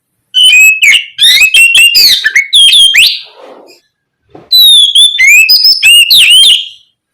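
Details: Oriental magpie-robin (kacer) in energetic 'ngeplong gacor' singing, intended to trigger replies from other magpie-robins. Dense runs of quick, varied whistles and sweeping slurs form two long phrases, with a soft rustle between them.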